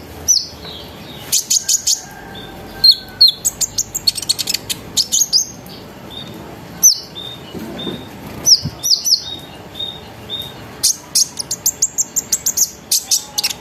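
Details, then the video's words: Twittering, rolling lure song of an olive-backed sunbird (konin), meant to make other sunbirds sing; long runs of rapid, piercing high chips and brief falling whistles repeat in clusters throughout, with little background noise. "PANCINGAN KONIN NGERIWIK NGEROL NEMBAK GACOR BIKIN KONIN LAIN IKUT BUNYI"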